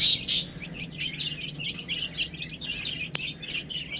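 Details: Two loud clattering bursts open the recording, then baby chickens feeding keep up fast, high peeps that overlap in a busy chorus, with one sharp click near the end.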